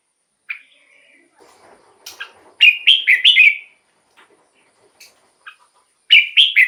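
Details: Song of a red-whiskered bulbul for luring wild birds or exciting caged birds: a soft chirp and scratchy sounds, then a loud phrase of four whistled notes, repeated near the end.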